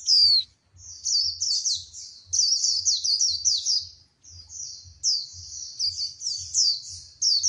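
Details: Female white-eye singing to stimulate a male to sing and fire him up: very high, rapid twittering warble in scratchy, tumbling bursts, broken by a short pause near the middle, with faint low rhythmic thumping beneath.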